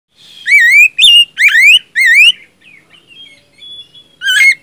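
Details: Oriental magpie-robin (kacer) song used as a lure to get a silent bird singing: loud, clear whistled notes sweeping upward with rich overtones, four phrases in quick succession, a soft twittering pause, then a final rising whistle.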